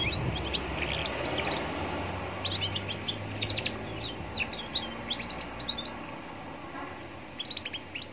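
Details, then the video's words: Young canary singing beside a roadside, played to provoke other canaries into answering: scattered quick high chirps and twitters, denser in the middle, over constant traffic rumble and street noise. "Pancingan kenari paud biar bunyi dengan suasana pinggir jalan bikin nyaut berjamaah"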